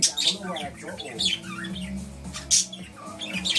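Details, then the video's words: Budgerigar kept indoors in quarantine, grumbling with a murmured, wavering chatter punctuated by a few loud, harsh squawks. "Budgie having a grumble."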